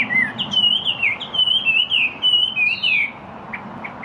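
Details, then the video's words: Yellow-breasted chat song: about three seconds of rapid warbled, whistled slurs run together, then a pause and a few short soft chips. "El Charlatán Canoro"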